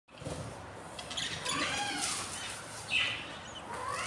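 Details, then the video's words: Budgerigars at a breeding nest with three newly hatched, hungry chicks on day 4: a few short harmonic chirps and rising notes over a hissy background, with a brief louder squeak near the end. "beautiful hungry chiks"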